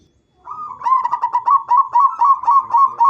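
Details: Actively singing local zebra dove used as a lure for other zebra doves: a clear mid-pitched coo broken into about a dozen quick, evenly repeated pulses, rising into a steady rolling trill.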